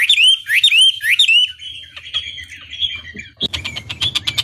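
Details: Chinese hwamei lure song meant to stir rival birds to respond; opens with three loud rising whistled notes, then softer warbling, ending in fast harsh repeated chips.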